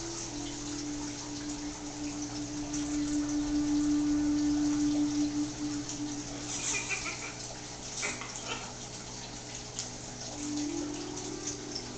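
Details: Running water hisses over a steady low humming tone, with a few soft clicks and knocks and no clear animal voice.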